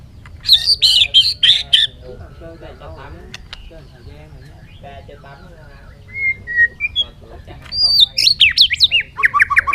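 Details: Bird singing a fast burst of harsh, high chattering notes, then a pause with soft clicks, followed by clear whistles and a run of rapid, rising and falling squeaky notes.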